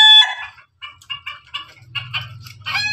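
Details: Ketawa and Pelung chickens together: a short opening crow gives way to a string of quick, evenly spaced laughing syllables that grow louder, over a low background hum.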